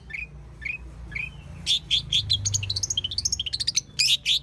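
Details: Long-tailed shrike in the wild: a few soft rising whistles, then a lively stream of quick high chips and ascending squeaky notes, over low rumbling background noise.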